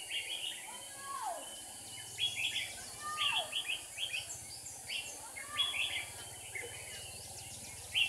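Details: Red-whiskered bulbul used as a decoy while trapping, singing to lure rivals, recorded 7 April 2019: short bright warbled phrases, each under a second, repeated through the clip over a steady low hum and faint background noise.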